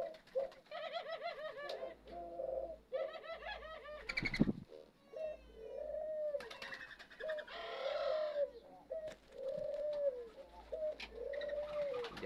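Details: Captive male Eurasian collared dove courting on a New Year's morning as the females prepare to nest: soft, hollow coos repeated about once a second, while small birds chirp busily in the background.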